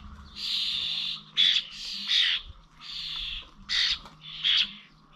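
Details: Common starlings at the old village bird feeders in Corby on 21 November, giving harsh, buzzy, squawking bursts, some with a thin whistled edge, repeated irregularly over a faint low hum.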